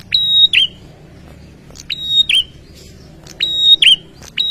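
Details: Agitated ashy tailorbird answering a lure sound, giving three clear phrases of click, flat ringing high whistle and quick dropping twist, roughly every one and a half seconds, a fourth just beginning at the end; faint low rumble underneath.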